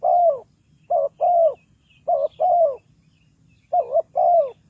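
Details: Decoy spotted dove used for bird trapping, giving mellow low coos in two-note phrases, a brief quavering note then a drawn-out falling coo, the pairs coming roughly every second, with faint chirps in the background.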